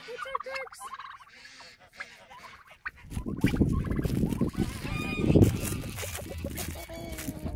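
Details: Several Emden geese on a farm, guarding the yard and attacking, rowdy in season; a few clear nasal honks at first, then heavy rustling and thumping noise with scattered harsh calls over it.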